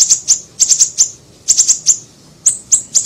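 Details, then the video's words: Siri-siri bird on a trapping lure recording: bright, piercing high chips in irregular clusters of two to four, about one cluster every half second, with short silent breaks. "MASTERAN PANCINGAN PIKAT SUARA BURUNG SIRI SIRI KECIL"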